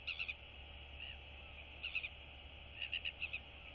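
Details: Royal albatross chicks in a colony greeting one another; short clusters of rapid buzzy chattering notes in three bursts, with steady background hum.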